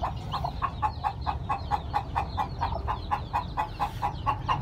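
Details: Newborn chicks hatching on a farm, with a hen hatching eggs: short, bright peeps repeated steadily about twice a second, each dipping in pitch, over a low rumbling background.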